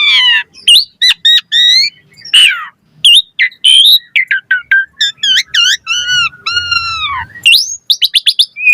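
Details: Asian pied starling singing fast and varied: rapid rising and falling whistled phrases, harsh chattering bursts and a long wavering low whistle near the end, with almost no pause between notes.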